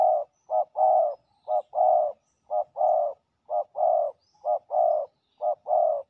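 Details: Territorial male spotted dove responding quickly to a decoy on the ground, giving a long regular run of low paired coos, a clipped note and a fuller drawn-out note, about one pair per second.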